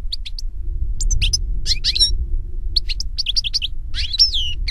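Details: Wild European goldfinch singing scattered high twitters and buzzy rising notes in loose phrases, over a low steady rumble.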